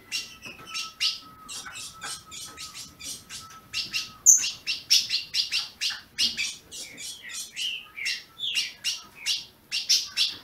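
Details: Captive ultramarine grosbeak in Brazil, calls used to stimulate a caged azulão: a dense run of short, sharp chirps in quick succession, irregular spacing, with a thin steady tone in the first half.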